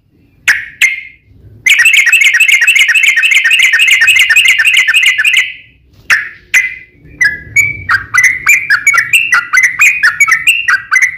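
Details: Sooty-headed bulbul, kept bird, fighting song used to lure other bulbuls into singing: two short calls, then a long fast buzzy chattering trill lasting about four seconds, followed by a run of quick rising and falling whistled notes.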